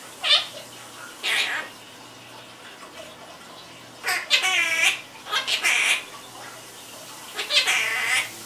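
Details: Pet quaker parrot, a chatterbox, giving scattered bursts of scratchy, harmonic chatter: a short squawk, a longer raspy note, then a cluster of wavering, nasal sounds near five seconds and a final squeaky burst, with a low steady hum underneath.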